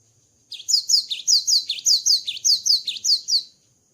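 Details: Singing Java sparrow after moulting, a loud even series of high chirps, each sliding down then up, repeated about a dozen times over three seconds in a quiet room.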